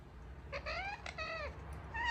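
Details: Pet ringneck parakeet making odd sounds indoors: a few short, harmonic, slightly nasal notes that slide upward, given in quick succession over two seconds, with low background hum.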